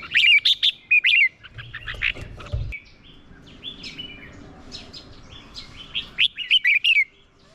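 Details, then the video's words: Red-whiskered bulbul used as a decoy, giving its fighting song to call in wild birds; bright warbled phrases at the start and again near the end, separated by a quieter stretch with low rumbling background noise. "Chào mào mồi hót đấu gọi bổi căng lửa"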